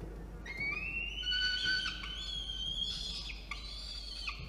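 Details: Peregrine falcon chick complaining while its nest box on a water tower in Orange, NSW, Australia, is cleaned, 4:06 PM, 17 November 2021; long, rising, high-pitched harmonic whines, repeated and briefly broken, with low background hum.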